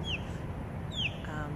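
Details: On a gray afternoon, a bird the speaker is pretty sure is an osprey, with a nest high up far away, gives two sharp, high downslurred whistles about a second apart, over a low rumble and a brief human voice.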